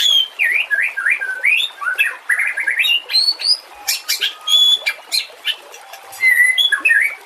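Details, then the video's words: White-rumped shama as a master for other songbirds, giving quick looping whistled phrases, then sharp high pure notes and clicks spaced irregularly, with soft lower whistles near the end. "Suara kicau burung murai batu. Masteran buat:cendet plentet trocok cucak ijo rowo jalak."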